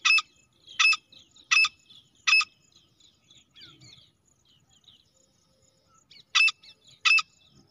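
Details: Female teetar, the grey francolin, heard as a hunting call: four loud, coarse notes about 0.75 seconds apart, a quiet stretch with faint twittering birds, then three more matching notes.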